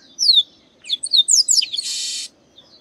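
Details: Chestnut-capped blackbird, known locally as Garibaldi or Baia de Chiqueiro, singing persistently: a few sharp descending whistled slurs, then a quick run of bright falling notes ending in a loud, dense buzzy rasp lasting under half a second.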